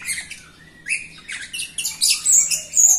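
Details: Energetic captive Jalak Rio myna singing as a lure for quiet Rio birds; a short run of sliding whistles and shrill chirps building into a louder, harsh burst near the end.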